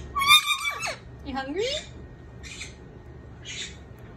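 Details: Indian ringneck parakeet indoors at lunch time: a loud, sharp, falling whistled squawk, then a low slurred note rising upward, followed by short breathy chattering bursts.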